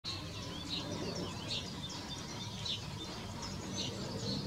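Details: Male great spotted woodpecker (Dendrocopos major) giving sharp, high single 'kik' calls roughly once a second over a steady low background rumble.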